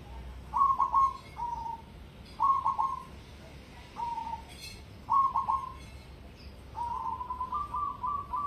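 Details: Competition-spec cemani zebra dove giving a run of loud song phrases: choppy bursts of low whistled notes each closed by a brief coo, ending in a longer rippling series of repeated notes, with faint clicks behind.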